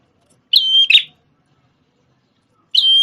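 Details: Red-headed prenjak tamu prinia, once used to tutor shamas: a single piercing held whistle ending in a buzzy flourish, then silence until the next whistle begins.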